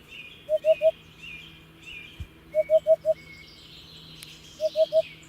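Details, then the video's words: Hoopoe repeating low, hollow triple hoots with pauses between bursts, while other birds add thin high whistles and chirps behind. "Hoopoe sound || The most beautiful sound of Hoopoe bird"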